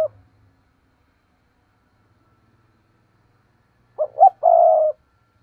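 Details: Spotted dove lure coo for provoking wild doves to reply. The start is clipped, then after a long silence comes one full phrase: two short low notes, then a longer even coo.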